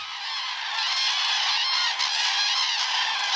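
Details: Common cranes, some 8,000 to 10,000 resting at the Pulken wetlands in Skåne, Sweden, in April after migrating from southern Europe: a dense, continuous chorus of overlapping trumpeting calls from a large flock, with no single voice standing out.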